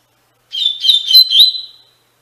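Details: Captive-training recording of a double-collared seedeater in the Tui Tui Fibra song style: a single phrase of fast, twisting whistled notes run together over about a second, fading out on a steady tone, with a clean, quiet background.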